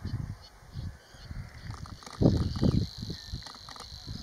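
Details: Savi's warbler of the nominate subspecies singing at Vadu in Dobrogea, Romania, in May: a steady, high, insect-like reeling buzz running unbroken through the clip, partly masked by low rumbling wind or handling thumps.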